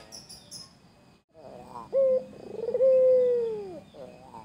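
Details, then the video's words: Against quiet background chatter, a white Barbary dove gives one phrase meant to tease a rival: a short abrupt coo, a quick rolling flutter, then a long steady moan that slowly drops and fades. "Burung puter Putih gacor Pandai menggoda lawan"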